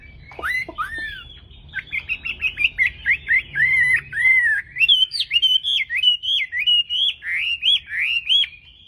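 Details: A tame Chinese hwamei greets dawn with fighting-contest song: two downslurred whistles, then a long, fast sequence of bright, wavering whistled notes with sharp up-and-down loops, steady and loud throughout.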